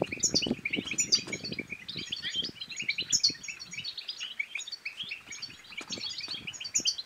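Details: European goldfinch song in the chattering bitbita style, used to stimulate silent goldfinches to sing and mate: dense, fast twittering of bright tinkling notes and buzzy trills, continuous throughout, with faint low clicks and knocks beneath.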